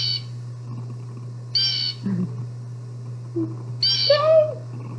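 Blue Jay giving three harsh, raspy squawks about two seconds apart, played back through a speaker over a steady low electrical hum and faint room sounds.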